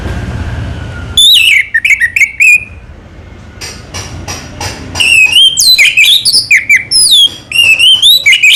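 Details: Orange-headed thrush in slow song: bright whistled notes with down-slurred and rising twists come in rapid bursts. A brief pause holds soft clicking before a longer run of varied, warbling whistles.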